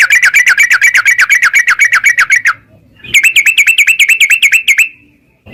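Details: Yellow-vented bulbul in a cage singing fast ropel song, played to encourage a caged bird to sing: two bursts of evenly spaced, bright chirping notes with a short silence between.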